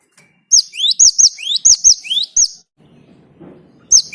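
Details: Great tit lure song: a run of quick rising-then-high two-note phrases repeated at a brisk pace, then a brief soft low murmur before the song starts again.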